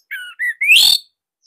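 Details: Brief phrase of a Bali orange-headed thrush master song: two level whistles followed by a loud rising slurred note ending in a harsh burst.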